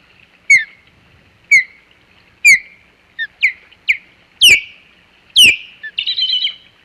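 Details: Osprey defending the Hog Island nest from an intruder on 27 July 2020: shrill descending whistles repeated roughly every second, several brief yelps between, ending in a raspy chatter.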